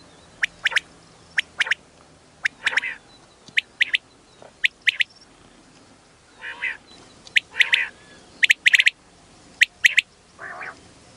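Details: Hill-area quail lure calling: long run of short, sharp, high notes in pairs and triplets, interspersed with several harsh, buzzy, nasal bursts, irregularly spaced about a second apart.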